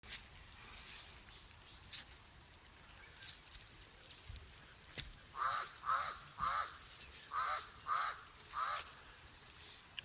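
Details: A pied crow on a farm with grazing donkeys, perching and flying, gives about eight harsh, croaking caws in loose pairs over five seconds, against a steady high insect hum.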